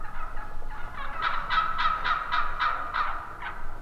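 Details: Turkey calling: a rhythmic string of about ten harsh, nasal yelps, about three per second, rising in loudness after a quieter start.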